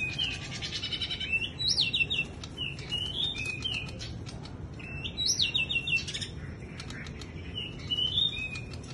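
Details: Bush lark's wing-fluttering song: repeated phrases of steep upward-sweeping whistles and short slurred notes, arriving roughly every three seconds, with soft flutter sounds and low background rumble.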